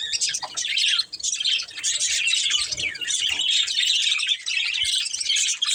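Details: A breeding pair of budgies chirping nonstop, a busy high-pitched warble of rapid twitters and short squeaky notes running without pause for the whole stretch.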